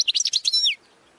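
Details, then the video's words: Short European goldfinch (Carduelis carduelis) song phrase: a handful of rapid high chirps followed by a slurred, falling whistle, lasting under a second. "goldfinch singing"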